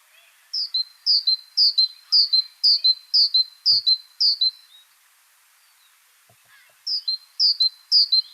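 Great Tit song: a bright, ringing two-note phrase, high then lower, repeated about twice a second in a run of eight, a pause, then four more.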